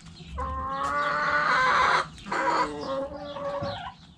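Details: Rooster in a backyard chicken coop crowing: a long, loud, harmonic call of about one and a half seconds, a short break, then a second falling drawn-out phrase, with low coop background noise.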